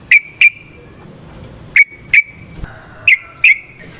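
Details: Sooty-headed bulbul giving sparse, sharp whistled notes in pairs, each followed by a long thin held tone, with quiet gaps between the pairs.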